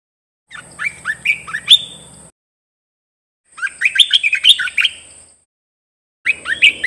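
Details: Red-whiskered bulbul kept in a cage, singing for tutoring other birds: three phrases of quick, jaunty whistles with bright up-slurs, parted by short silences, with a steady high hiss behind.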